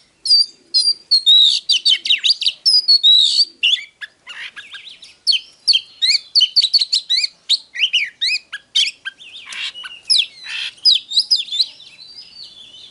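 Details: Oriental magpie-robin in full song: a continuous, rapid stream of varied high whistles, slurred rising and falling notes, and scratchy buzzy bursts, delivered in tight bursts with almost no pauses for thirteen seconds.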